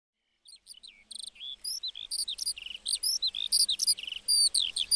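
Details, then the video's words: Lark singing in a meadow: a rapid, unbroken stream of high, thin whistled and slurred notes, many rising or falling, after a brief silence at the start. "Singing lark in the meadow"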